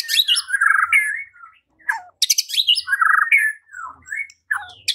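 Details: White-rumped shama singing loudly in a provoking lure recording: rich, nearly continuous warbling that mixes fluty whistles, buzzy notes and sharp high chips, with brief pauses.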